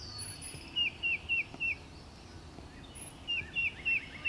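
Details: Tufted titmouse at Ashton Tract, Augustine Wildlife Area, in April 2020, singing two quick phrases of four clear, downslurred whistles in a peter-peter pattern, over soft background hiss with faint high chips.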